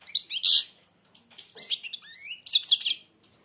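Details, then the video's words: A blind European goldfinch sings, beak almost closed, in bursts of high twittering mixed with rising and falling whistled slides and a loud, harsh buzzy note, ending in quick sharp chirps. "تغريد_الحسون أعمى سبحان الله يغرد ومنقاره شبه مغلوق"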